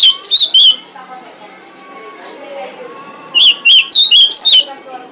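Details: Female pied bushchat calling to attract males, used as a lure sound for birds. A short burst of three bright whistled notes, a pause, then five more quick whistled notes. Faint lower twittering from other birds runs underneath.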